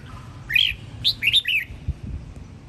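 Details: Red-whiskered bulbul of the Sông Kon strain from Quảng Nam, Vietnam, singing in the morning: a short phrase of bright, slurred whistled notes, rising and falling between mid and high pitch, over faint low background rumble.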